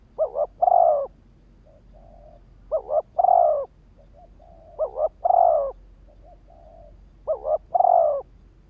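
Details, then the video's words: Spotted dove used as a lure for wild males, giving four steady phrases of a rapid two-note coo then a drawn, slightly falling coo, quiet low notes between, roughly every two and a half seconds. "Tiếng chim cu gáy kích bổi"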